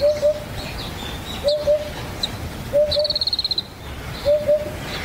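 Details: Rare vagrant Eurasian Hoopoe at the foot of Yatsugatake, Japan: mellow, low double hoots repeated roughly every 1.4 seconds, while another bird adds a brief high, rapid trill in the middle.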